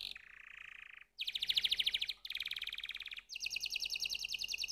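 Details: Canary song in rapid trilled phrases: a low buzzy trill, then bright fast rattling tours that jump between pitch levels, each held about a second, separated by brief pauses.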